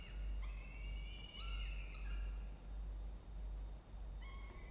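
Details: Peregrine falcon family at their nest box in a water tower, Orange, New South Wales, Australia, on an October 2024 morning. One extended, rich harmonic wail with a descending tail, then a pause and a fresh call, above steady low hum.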